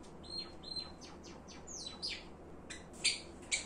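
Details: Java sparrow, a pet bird, giving a quick series of short high chirps and downward-sweeping notes, then a few louder bright clicks near the end; faint room hum underneath.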